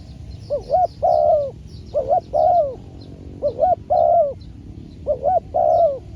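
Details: Spotted dove decoy calling during trapping, taken out for training and making its first catch; four cooing phrases, each a short rising double note then a longer level coo, repeated about every 1.5 seconds over low rumble.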